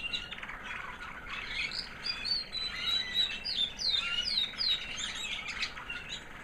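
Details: White American Singer canary, a female proven in 2009, sings softly after molting: a string of thin, high downslurred whistles repeated in quick succession over faint twittering.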